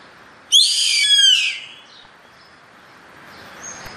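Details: A yellow-headed caracara utters one abrupt, grating screech lasting roughly a second, harsh and harmonic-rich with a downward slur, followed by near silence and a faint thin whistle later.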